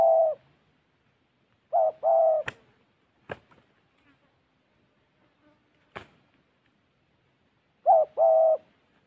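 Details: Spotted dove decoy bird in Gia Lai repeating short-then-long hoarse coos at intervals of several seconds, with a few sharp clicks or knocks in between and brief speech at the end.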